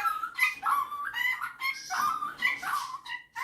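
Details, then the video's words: Male pet superb parrot indoors showing off his singing and mimicry; a string of short, voice-like tonal warbles and upward slides, each lasting under half a second, repeated almost without gaps. "Superb Parrot Malibu showing off his singing and mimicking skills"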